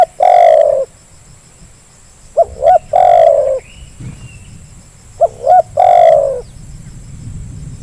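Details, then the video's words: Spotted dove lure track: a long rolling coo, then two more complete phrases of two short coos and a sustained vibrating coo, with a faint whistle and low background rumble between. "Suara pancingan terkukur yang malas jadi bunyi"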